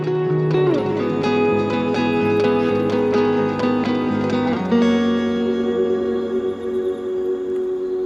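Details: Plucked acoustic guitar music plays loudly throughout, strummed chords and picked notes with no natural sounds.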